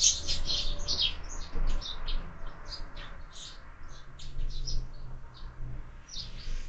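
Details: Sparrows at a feeder mounted on a window, fed year-round, on a lively morning; busy high chirps come in quick irregular bursts over a steady low rumble of background noise.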